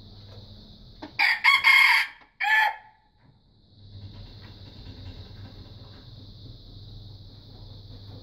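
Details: An immature red junglefowl still learning to crow produces a brief, cracked crow of a few harsh chunks ending in a separate short note, followed by several seconds of insect hum and low rumble.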